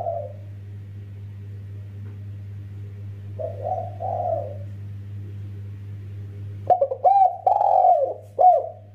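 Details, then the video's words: Spotted dove calling, male and female calling to each other. Faint soft coos come first. Later a loud burst of clipped coo notes follows, with a drawn-out falling croon. A constant low hum sits throughout. "Burung tekukur derkuku gacor klowor || suara rapat merdu mersik untuk panggilan jantan dan betina"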